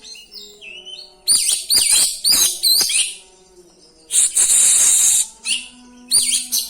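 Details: Oriental magpie-robin (kacer) rolling song full of fill-in phrases, used to provoke and boost other kacer: soft high notes, then loud sharp whistled slurs, a long harsh hissing burst, and further shrill whistles.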